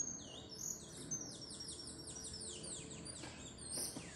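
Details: A caged saffron finch (Sicalis flaveola) sings while flapping its wings: a quick run of high, down-slurred chirps, about three a second, ending in buzzier sharp notes over a faint low hum.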